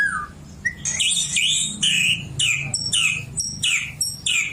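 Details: Oriental magpie-robin, a caged bird said to have learned white-rumped shama song while young near a shama, singing loud varied phrases: repeated downslurred whistles and buzzy notes in quick succession, with a low background hum.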